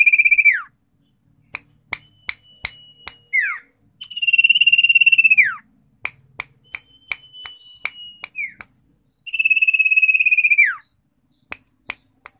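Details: Common iora singing three long, strongly pulsed trills that each end in a steep downward slur, separated by runs of sharp ticking clicks and a faint thin sustained tone.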